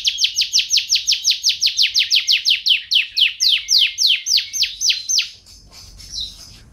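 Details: Canary delivering a steady series of loud descending sweeping notes, roughly three per second, ending in quieter scattered chips and whistles, in energetic 'gacor' song.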